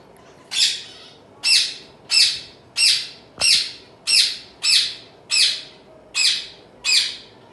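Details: A home-bred baby zebra finch gives about ten harsh, nasal, high-pitched notes, one every three-quarters of a second or so, against a quiet indoor background.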